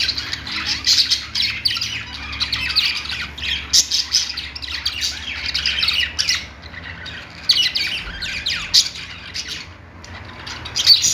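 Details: Pet budgerigars singing in a steady stream of rapid, scratchy, warbling chirps and squeaks that rise and fall without pause, several birds seemingly chattering together.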